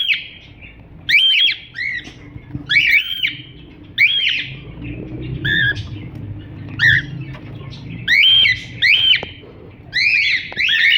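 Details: Cockatiel chirping steadily: a long series of scratchy, arched chirps, some doubled or tripled, keeps up across the whole stretch with short pauses and a low rumble in the background.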